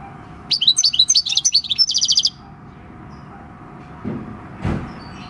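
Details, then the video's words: Six-year-old field-caught European goldfinch, 26 December 2019, delivering its countryside-style song: a dense burst of rapid, tinkling high twitters lasting under two seconds, then quiet, with a low rumbling noise passing near the end. "Jilguero campero "EL CARBONERO" / Chant du chardonneret / Goldfinch song"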